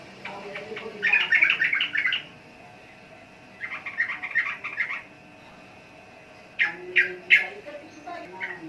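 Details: Sooty-headed bulbul (trucukan) singing in three bursts: two dense runs of rapid chattering warbles with pauses between, then a few loud, sharp, separate notes.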